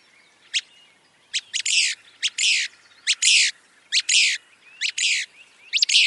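Willow flycatcher giving sharp high ticks, each followed by a harsh, sneezy buzz, repeated about once a second; nothing else is heard.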